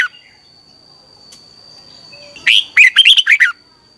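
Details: A red-whiskered bulbul sings in the morning as a decoy voice for training other bulbuls; after a quiet stretch with a faint thin steady tone, one fast phrase of about six bright, bouncing notes.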